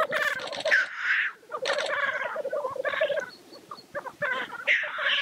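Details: At the black grouse lek, choppy cackling calls come in quick bursts, and rushing hisses at the start and end set them apart.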